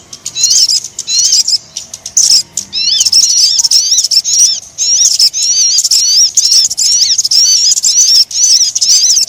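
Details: Dense high-pitched chattering of a crimson sunbird, a lure call for attracting birds, with rapid squeaky trills running almost continuously in choppy bursts.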